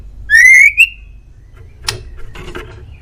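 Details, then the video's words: Single bright rising whistle with a flick at its end from a white-rumped shama, given as a male Indonesian master song for pet birds, followed by dry scratchy clicks. "MASTERAN MURAI"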